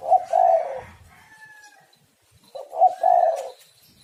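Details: Spotted dove cooing as a lure call: two low, burred coo phrases about two and a half seconds apart, each with a short lead-in note, and a faint higher whistle from another bird in the gap.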